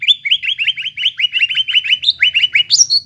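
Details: Greater green leafbird song, used to stir a caged bird that has stopped singing back into full song; a fast run of similar chirping whistled notes, roughly three per second, ending in higher sharper notes.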